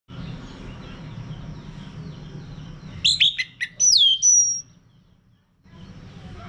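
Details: Orange-headed thrush (anis merah) in a lure recording played to get a male singing in the loud ngeplong style: one burst of clear, slurred whistles that sweep down, then soft background hiss and a brief silence.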